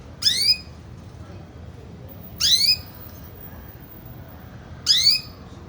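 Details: Female canary calling indoors: three loud, high chirps, each a quick downward-sweeping note, spaced about two and a half seconds apart over a faint steady background hiss.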